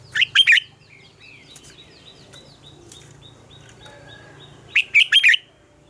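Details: A red-whiskered bulbul gives its morning training song in wild double-note style: an opening burst of three sharp, warbled notes, a stretch of soft thin chirping from other birds, then a closing three-note phrase.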